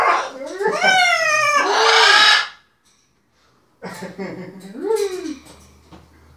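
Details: Pet macaws calling indoors while playing with their owners and a tea towel: long harmonic wooing calls that rise and then fall, with a rasping stretch, followed after a pause by a second, shorter arched call.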